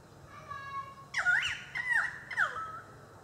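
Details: At Lake Eacham, Atherton Tablelands, in April 2014, a pied currawong gives three loud, ringing, swooping calls with a rich harmonic tone, about half a second apart, after a faint steady whistle.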